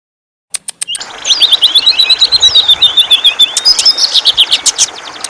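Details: Greater green leafbird singing in the ngentrok style, a lively bird suited as a lure to draw out other birds: rapid run of sharp high chirps and slurred whistles, repeated about four times a second, bright and continuous.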